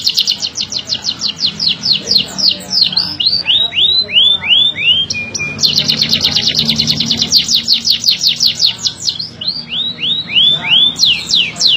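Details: Beujeg bird with a canary-like song: long rapid trills of repeated high sweeping notes, bursts of downward-slurred whistles between fast rolling runs, over a steady low hum.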